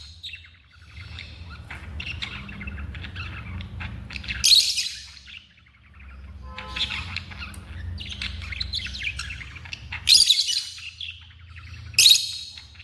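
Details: Pet African lovebirds chattering softly with scattered twittering, broken by occasional loud shrill screeches, amid a background hum and faint noise.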